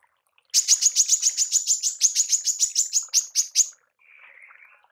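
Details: Female manggar in a 'tembakan' sequence for mastering songbirds: a quick string of sharp, high, buzzy chirps lasting about three seconds, followed by a faint lower warbling.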